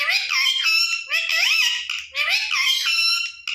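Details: A pet Indian ringneck parakeet, talking to its own reflection on a bed, chatters in three bursts of high, raspy, speech-like babble with rising whistled slurs, nearly continuous for over three seconds.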